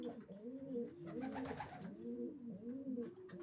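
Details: Racing pigeon cooing: clear, repeated low rolling coos with rising-then-falling harmonic arcs, about one phrase every second, in a small enclosed space.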